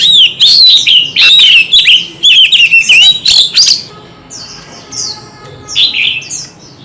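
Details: White-rumped shama duel, kept birds singing in many voices: a long run of loud, fluty, rising and falling whistled phrases with sharp notes, then softer high repeated chirping from other birds.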